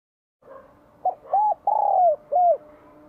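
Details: Spotted dove in Vietnam, spring 2023, singing its bell-voiced coo used to rouse wild doves: a short low note, an arched coo, a long drawn falling coo, then a final arched coo, with a steady low hum behind.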